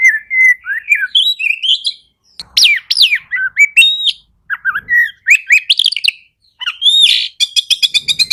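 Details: Song of the Oriental magpie-robin, or kacer, played to stir silent kacer: dense varied whistles and sharp upward slurs, finishing with a rapid series of buzzy repeated notes.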